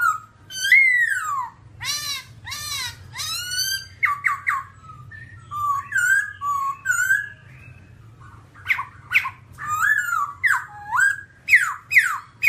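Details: All-black babbler from rocky terrain delivering a varied whistled song: long downward slides, clusters of short rapid notes, pauses, then loud swooping descending whistles repeated near the end, with low steady hum behind.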